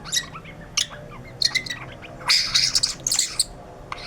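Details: White-rumped shama, singing 'gacor': short clusters of scratchy, high chattering notes with a few brief whistles, separated by quiet gaps.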